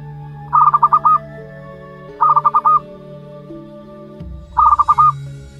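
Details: One-month-old local wild zebra dove chick calling: three bursts of quick stuttering notes, each ending in a hooked coo, spaced about two seconds apart over a steady humming, music-like background drone.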